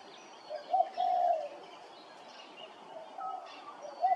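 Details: Grey-crowned babbler at Hervey Bay, Queensland, giving mellow, mid-pitched whistled notes, one drawn out, in an uneven series over a quiet background.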